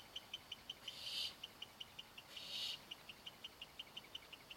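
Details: Young barn owls waiting to be fed: two drawn-out rasping hisses stand out above a rapid, even series of soft ticking notes.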